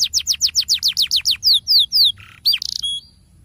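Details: Lure song of a canary, ngerol style, for encouraging reluctant canaries to sing: a quick series of about a dozen steeply falling whistled notes, a low buzz, then brief metallic chips and a thin whistle.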